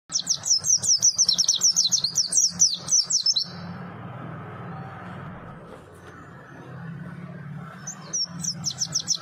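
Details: White-eye, a small bird praised for a melodious, fiery voice, gives a fast, high twittering run of sharp rising-falling notes for about three seconds, then falls quiet over a low steady hum before a brief high phrase returns.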